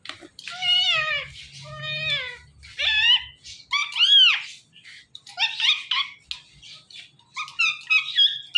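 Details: Pet Ringneck parrot talking into a phone and copying a cat's meow: several whiny, arched meow syllables, then a quicker jumble of chattering speech-like notes, over a faint low hum.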